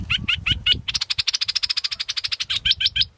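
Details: A few sharp high tsik notes, then a fast rattling trill and more tsik notes from a scarlet-backed flowerpecker, with low background rumble.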